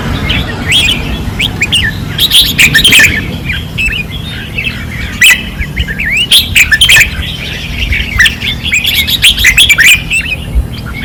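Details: Fierce red-whiskered bulbul singing at a training perch in 2024, Pattani: dense, overlapping chirpy whistled phrases from several birds run almost continuously, over a low background drone.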